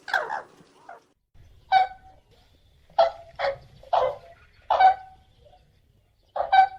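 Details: Crane giving loud, honking, harmonic calls in an irregular series of about seven, with some quick doubled notes and brief pauses.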